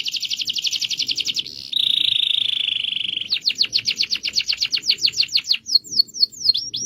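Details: Canary rolling song: a fast buzzy trill, then a sustained rolling tone, then a run of repeated downslurred whistled notes gradually spacing out, high-pitched throughout.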